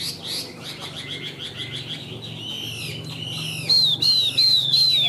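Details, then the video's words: Caged Chinese hwamei with white wings and white tail, a bird said to sing high and fight well, delivers rapid varied whistles that end in a run of loud, clear, downslurred high notes, with a low hum underneath. "Họa Mi Cánh Trắng Đuôi Trắng - Hót Cao"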